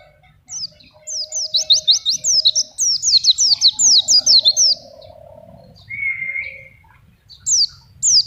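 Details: Energetic pleci song meant as a tutor for young Oriental white-eyes or a lure: two rapid bursts of high descending whistles, then a brief lower drawn-out note and fresh snatches of whistling near the end.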